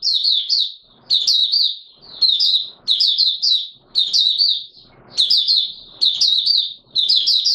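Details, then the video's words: White-eye kept in captivity, locally called Mata Puteh Raja, starting to sing though not in full condition, 9 May 2022; shrill, fast chittering phrases repeat about once a second, with faint low room noise beneath. "Mata Puteh Raja V1 buka sing not full condition yet"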